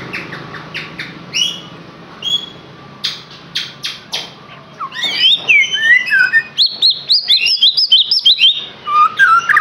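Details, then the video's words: White-rumped shama singing, used as a lure to get a captive bird singing: sharp high clicks and short notes at first, building into dense, rapid, high-pitched warbling and slurred whistles. "KICAUAN UNIK Cocok untuk pancingan murai batu AGAR LANGSUNG GACOR dan NGEPLONG"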